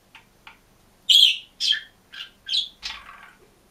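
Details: Single green budgerigar in a cage sings and chirps: two soft ticks, then a string of varied chirps, some bright and squeaky and others lower and buzzier, ending in a scratchy trailing note.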